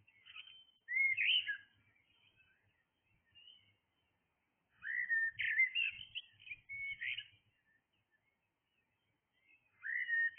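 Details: Early-morning blackbird song in three separate mellow, whistled phrases, each warbling up and down, with roughly four-second silent pauses between them and a soft low hum in the background.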